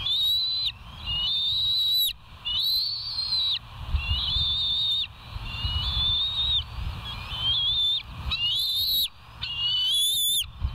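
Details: Bald eagles calling at the West End nest, filmed on a live nature cam on 27 July 2023 at 05:12. High, piercing whistled notes come about one every second, each slightly wavering or rising, with brief pauses between them. Low background rumble.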